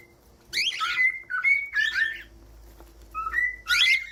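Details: Cockatiel song meant for teaching a pet cockatiel to sing: bursts of harsh, chattering warbles mixed with clear steady whistles, several phrases over four seconds, with a faint low hum beneath.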